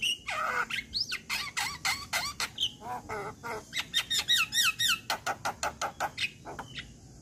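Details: Lure song of a male Javan myna, meant to set off silent or molting mynas: loud, squeaky, harmonic notes in a quick string, with bent whistles and chattering, about three to four notes a second, fairly clean background.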